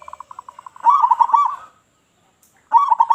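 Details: Local zebra dove with a big voice, used to lure other doves: a run of short evenly spaced coo notes speeding into a loud, warbling trilled phrase, a pause, then the trill starting again.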